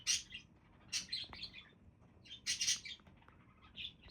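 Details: Budgerigars give loud bursts of harsh high chirping and squeaks, three main outbursts with a softer chirp at the end.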